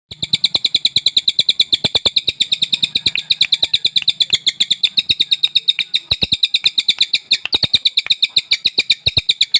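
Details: Sultan tit, newly acquired, singing at once: a long fast series of even, bright, ringing notes, about eight per second, steady and unbroken, with sharp clicks throughout.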